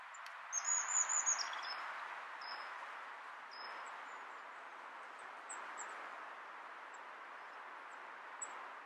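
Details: Eurasian siskin in Brussels, Belgium, in December 2015, giving a quick burst of thin, very high twittering notes, then a few scattered high chips, over a steady rushing hiss like water or wind.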